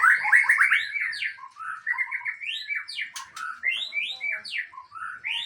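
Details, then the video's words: Aceh-type white-rumped shama performing its repertoire in rapid, loud, varied phrases. Swooping upslurred whistles alternate with short chattering runs and sharp notes, continuing without a break. "Murai Aceh # Bongkar Isian"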